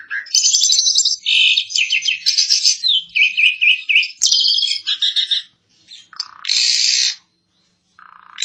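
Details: Asian pied starling (jalak suren) in full, energetic song: loud, harsh, buzzy phrases mixed with nasal whistled notes, delivered in dense bursts with brief silences near five and a half and seven and a half seconds.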